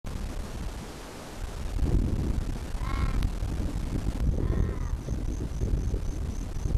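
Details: Pink (Major Mitchell's) cockatoo (Cacatua leadbeateri) near Charleville, southwest Queensland, Australia, April 1996, gives two harsh, quavering calls a second and a half apart over heavy wind rumble, with a quick run of thin, high notes from another bird.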